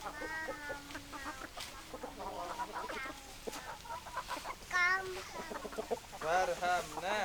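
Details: Hens clucking in a farmyard chorus: overlapping nasal, harmonic clucks and drawn-out wavering calls, several birds at once, building to a louder quavering cackle in the last seconds.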